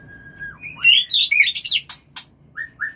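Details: White-rumped shama mating call for breeding: a long level whistle dropping away, then a burst of rapid warbled notes and sharp clicks, ending in short rising whistles.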